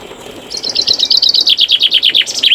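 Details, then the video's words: Common chaffinch singing in spring in Poland: a bright, fast cascade of high sweet notes, each phrase dropping in pitch and speeding along, with no other sounds in the background. "Here's the Chaffinch in its signature piece."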